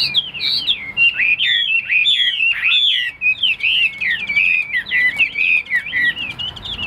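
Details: A tamed cage-bird Chinese hwamei sings a loud, continuous stream of twisting whistles and trills, briefly broken near the middle before resuming.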